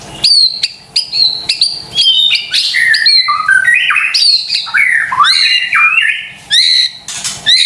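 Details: White-rumped shama lure song for caged birds: a row of sharp repeated high whistles, then a rush of varied slurred and warbled notes, ending with more short high whistles.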